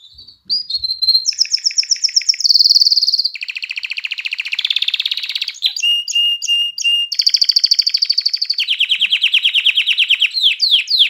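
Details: Canary singing aimed at exciting females to mate and getting chicks singing: a long chain of varied tours, high whistled trills, a lower buzzing roll, clipped repeated pips, and fast pulsed rattles closing with sweeping notes.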